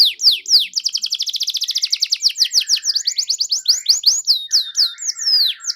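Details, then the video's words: Canary song opening with downswept notes, then a fast even trill, followed by varied slurred whistles and rising sweeps repeated in quick succession. "SUARA BURUNG KENARI GACOR DOR"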